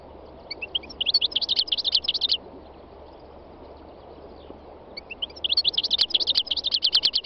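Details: North African goldfinch, three years old, in Tunisia's north-west mountains on a spring day, giving two rapid bursts of bright, jangling twitters, each about a second and a half long, separated by a quiet pause.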